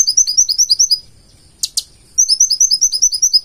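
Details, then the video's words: Purple-throated sunbird in full-isian song: a run of rapid high twittering notes, a pause broken by two harsh sharp notes, then the fast high series resumes. "KONIN GACOR FULL ISIAN"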